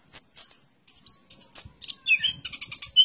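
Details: Orange-headed thrush singing a quick burst of high, sharp chirps and squeaky whistles, several thin notes sliding down, ending in rapid clipped ticks and a short high whistle.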